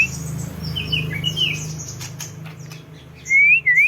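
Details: Sunbathing songbird with soft high twitters through most of the stretch, ending in a loud clear upward-sliding whistle repeated twice over a low background hum.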